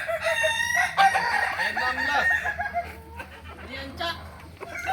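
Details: Crowing practice contest of Kukuak Balenggek roosters in Ampang Kualo, Solok, May 2024. Broken, multi-note crows from several birds overlap, rising and falling in short steps, with murmured voices beneath.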